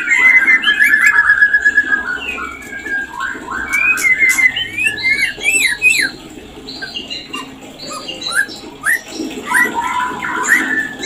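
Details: White-rumped shama (murai batu) song played as a lure to bring on breeding condition: varied whistled phrases, sliding and rising notes with quick chirps, rich in mid-high tones, with other chirping and faint background noise.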